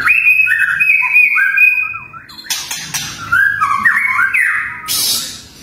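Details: White-rumped shama in fierce 'tembakan' song, contest material: long clear steady whistles, then varied sliding whistled notes, a harsh burst and a final loud scratchy high note.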